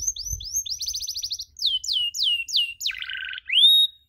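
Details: Canary cuit cuit master: drawn-out whistle, a fast buzzy trill, several loud sweeping downslurred chirps, a harsh low rattle, and a closing pure rising whistle, with almost no background noise.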